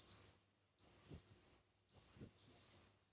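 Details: Red-whiskered bulbul in competitive song, recorded as voice-training material: a phrase tail, then two high whistled phrases that rise and trail downward, each broken into three quick segments, with clean silence between.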